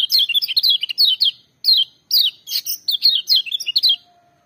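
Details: Lemon-bellied white-eye in loud, ringing song meant to spur quiet birds of its kind. Dense, rapid, high-pitched twittering phrases run almost continuously, broken by two short pauses, with a faint steady tone near the end.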